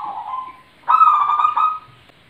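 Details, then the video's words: Zebra dove call: a soft, low tonal note followed by a louder, slightly buzzy cooing phrase of about one second, rich and warbling, with quiet background. "suara burung perkutut"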